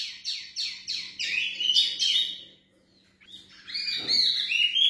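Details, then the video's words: One of a pair of mini wambi laughingthrushes, kept for breeding, delivers a quick run of bright, chirping notes, about three a second, then a higher, sweeping whistled phrase over a low electrical hum. "Burung Wambi Mini Gacor"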